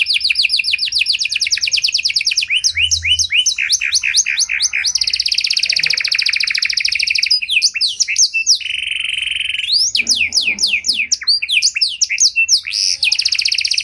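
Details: Canary, Panda type, delivering a luxurious cengkok song used to lure and train other canaries: alternating fast rattling trills, rapid downslurred note series and a flat buzzy tone, sustained without pause.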